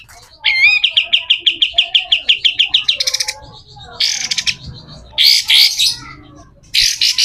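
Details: Pied triller, kapas tembak, giving a rough besetan kasar song used as master recording for training other birds: a fast run of about fifteen short high notes at even pitch, then broad buzzy, rasping bursts.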